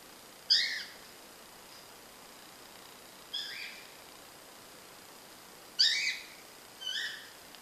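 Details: A female lutino cockatiel preening her feathers gives four short, bright, harmonic chirps, spaced a few seconds apart.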